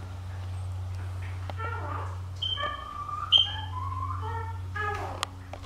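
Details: Pet female eclectus parrot saying "Allah" when she gets sleepy: short tonal, speech-like phrases with bright harmonic syllables and a sharp click, over a steady low indoor hum.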